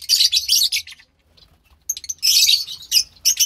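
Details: Pair of young lovebirds, chicks of white pastel violet and pastel mauve parents, March 3rd, 2021: scratchy high chirping in rapid bursts, a near-silent gap of about a second, then a longer harsh raspy outburst with a few sharp notes.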